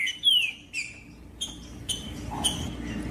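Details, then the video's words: Green-winged saltator singing to warm up and stimulate other saltators: a few clear whistled notes, one sliding downward, spaced by short pauses, with a faint low hum underneath. "MELHOR TRINCA FERRO PARA ESQUENTAR TRINCA FERRO COM TRINCA FERRO CANTANDO"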